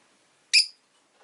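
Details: A single shrill, high-pitched chirp from a rosy-faced lovebird, brief and sharp, fading quickly into near silence.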